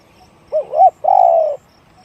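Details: Spotted dove cooing in the deep-voiced one-kook style: two quick rising-and-falling notes, then a long, steady, slightly falling coo. The whole phrase lasts about a second over a quiet background.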